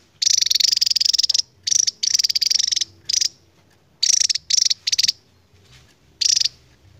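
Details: Javan tesia, endemic to Java, in long ngebren song: a run of fast high buzzy trills, the first over a second long, followed by several shorter staccato bursts.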